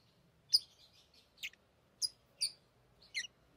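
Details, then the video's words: Pet lovebirds chattering while playing with rings. Five short, piercing chirps come at irregular half-second to one-second gaps, with faint twittering between them. "Love birds Talking | Singing Sounds"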